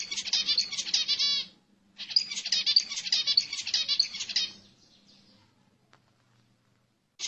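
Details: Zebra finch song used to arouse females for mating: rapid strings of buzzy, nasal, harmonic notes in two long phrases of about two seconds each, separated by a brief pause, ending in quiet with one final note.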